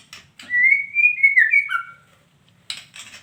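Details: Female white-rumped shama calling: a clear whistled phrase around mid-high pitch, a smooth sustained note that steps slightly up then drops, followed by brief scratchy bursts.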